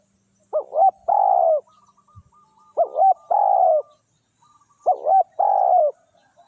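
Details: Tekukur, the spotted dove, used to lure wild doves: three evenly spaced phrases of a brief quavering double coo leading into a longer, slightly falling coo, with near silence between.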